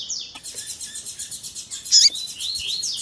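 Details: Tui tui zel zel song of a double-collared seedeater with female calling, edited to excite other males: a fast, steady stream of high repeated notes with slurred whistles and one loud burst near the end.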